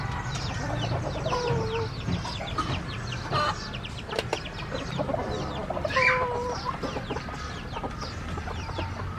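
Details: Domestic chickens clucking and cackling together, with short drawn-out calls rising above busy chatter and a low background rumble.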